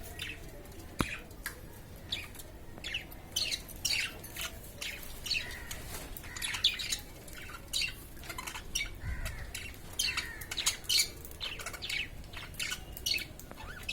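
Budgerigars chatter with rapid, scratchy chirps and warbles, several birds calling at once.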